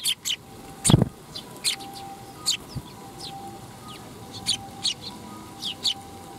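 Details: Eurasian tree sparrows gathering to be fed at a Tenmangu shrine, July 12 2021; repeated sharp chirps from several birds, plus a brief low thump near the start and a constant faint hum.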